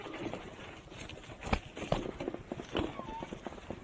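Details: Ripper, a 4-year-old hand-reared male Australian musk duck (Biziura lobata), mimics human speech learned from his surroundings: low, muffled, word-like utterances broken by sharp clicks and thumps, over faint background noise.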